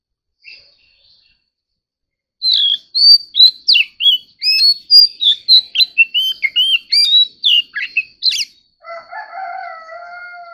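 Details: Oriental magpie-robin in a song duel: a long, rapid burst of varied whistles and slurred chirps, followed by a steady low humming tone as the singing stops.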